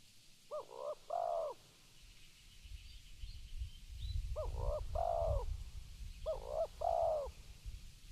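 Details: Spotted dove calling: three phrases of low cooing notes, each a pair of short hooted coos followed by a longer purring coo, repeated about every two to three seconds, over steady low rumbling background noise.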